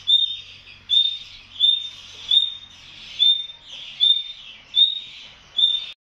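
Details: A female nightingale at her young in the nest, inside wire, gives short, high, clear whistled notes, about eight in six seconds, steady in pitch with a faint breathy edge, over a quiet background.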